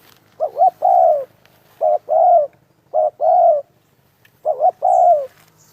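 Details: Spotted dove cooing near a trap: a short doubled note, then a longer, slightly falling coo. The phrase is repeated four times, about every 1.3 seconds, loud and close, with a quiet background.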